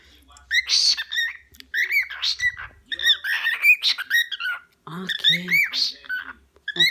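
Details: Pet cockatiel squawking in protest after being told it may not eat its owner's food, called sassy; bursts of harsh, buzzy, harmonic-rich calls in quick runs, mixed with a woman's surprised talk and laughter.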